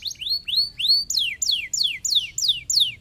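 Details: Singing canary meant to stimulate lazy canaries: rising whistled swoops give way to a steady series of high notes sliding downward, about three each second.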